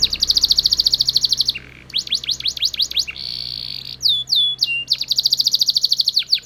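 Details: Belgian canary delivering dense buzzing trills, a quick series of falling notes, a short nasal roll and ringing chirps before another long rapid trill.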